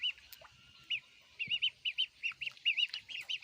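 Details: Baby ducks eating food: after a quiet start, clear high peeps come in quick, evenly spaced runs, with a soft tap.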